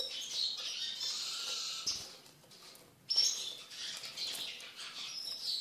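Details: Eurasian siskin kept in a cage and tamed to feed from the hand, singing a high twittering warble, pausing about a second, then resuming with a sharp note and more chatter.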